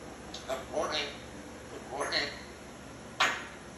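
An African grey parrot gives three short bursts of speech-like chatter with rising whistled notes, indoors, ending with a sharp click.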